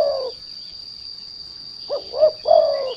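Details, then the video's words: Turtledove lure sound, derkuku: the end of one hoarse coo, a pause, then two short rising notes leading into a long throaty coo, over an unbroken high electronic whine. "The Sound of Lure Derkuku Lure"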